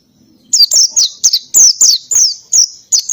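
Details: Oriental white-eye, ngalas-style singer with canary phrases, delivering a steady series of high, clear, downward-sliding whistled notes, about three per second, in a quiet background.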